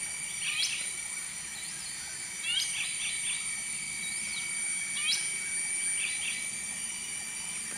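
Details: Finsch's bulbul (Alophoixus finschii) call: short, sharp chirps in quick clusters of two to four notes every couple of seconds, over a steady high insect drone.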